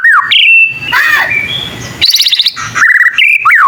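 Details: White-rumped shama, young and learning, whose song reportedly gets other shamas to respond; a few clear whistles and down-slurs, a rapid high stuttering trill, then more whistled phrases over light hiss.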